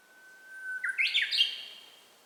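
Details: A Japanese bush warbler sings on an ordinary day, recorded on a handheld camera: a long plain whistle slides into a loud, stepped-up cascade of rapid bright notes that ends abruptly; the background is otherwise calm.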